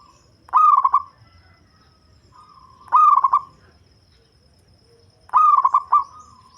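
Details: Deep-voiced local zebra dove, a call suited for luring birds: three quick phrases of throaty, stuttering coos, each lasting about half a second and repeated roughly every two and a half seconds, over a quiet background.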